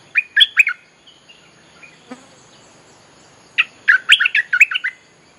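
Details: Lure recording of a bulbul used to attract wild birds, with brisk gurgling phrases of several quick warbled notes at the start and a longer cheerful run in the second half, separated by near silence.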